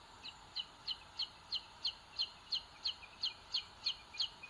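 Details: Booted eagle chicks in a nest watched by a live webcam in Sierra de Guadarrama National Park, Spain, 2022, the older chick pecking the little one; high thin peeps repeat steadily about three per second over a constant background hiss.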